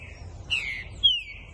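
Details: Captive-bred young green-winged saltator (trinca-ferro), Pica Pau x Fogueira lineage, whistling two descending slurred notes roughly half a second apart, the second brighter and longer, over a quiet low hum.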